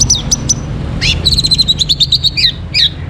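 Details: Orange-headed thrush song played in the morning to bring caged birds into breeding condition; high whistled notes and rapid sharp chirps repeated in quick series, over a steady low hum.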